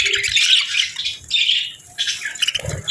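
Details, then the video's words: Several pet parakeets chatter on a winter morning while eating warm meals. Bright, scratchy chirps and warbles rise and fall in bursts, with brief pauses between phrases and a few soft low thumps. "Warm Meals for Parakeets 🦜🍽️ | Winter Morning Fun and Chirping Sounds ❄️🎶"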